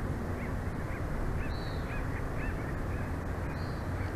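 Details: Bald eagles at a nest in Big Bear Valley on 06/09/2024 in the afternoon: a quick string of short, high chirping notes, then two thin drawn-out whistles, all half-buried in heavy constant low rumbling noise.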